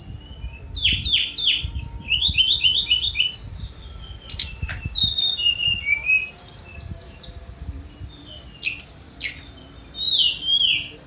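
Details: Sunda robin, locally tledekan gunung, alternating bursts of rapid sharp chips with high whistled and trilled phrases over several seconds, energetic and varied, faint low background rumble.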